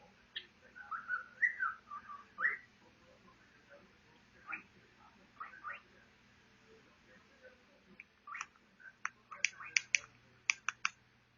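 A cockatiel whistles a wavering tune, then breaks into a run of sharp, clicking chirps.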